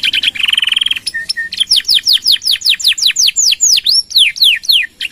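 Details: Canary in gacor song, long 'nembak' shots with 'gereja' fill, meant to tutor and prompt other birds: a dense buzzy trill, two flat whistles, then a long series of loud swooping downward whistled notes.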